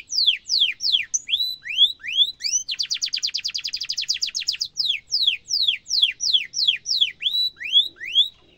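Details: Singing canary, a recording for teaching young birds: falling and rising whistled sweeps at a measured pace give way to a dense, fast rattling trill, then slow separate slurred notes return.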